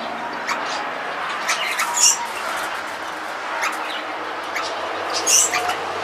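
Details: Yellow rosella (Platycercus elegans flaveolus), one of a pair in an aviary: two brief, high, sharp chirps about three seconds apart over a steady hiss of background noise.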